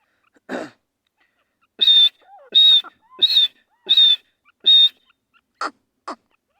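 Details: Grey francolin roaming free in the wild during breeding season, giving a loud series of six harsh, high, ringing notes about every 0.7 seconds, bracketed by a few shorter, softer chirps.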